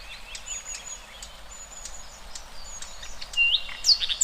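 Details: Wild birds singing in open nature: thin high whistled notes and short chirps from several birds, soft and scattered at first, growing louder with sharper rising squeaks near the end.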